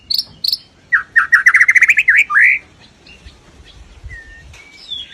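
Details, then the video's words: White-rumped shama singing a rough, forceful 'nembak' song: two high whistled notes open, then a fast run of about ten sharp, rising chipped notes and a slurred phrase, followed by softer, thin, drawn-out whistles. "Murai Batu Gacor Nembak Kasar Sepanjang Hari"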